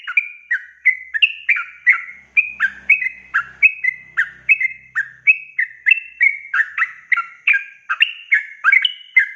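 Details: Yellow-vented bulbul tutor song in the 'ropel panjang' style, a continuous rhythmic flow of bubbly whistled notes, each swooping in pitch, with a faint low murmur in the background for a few seconds.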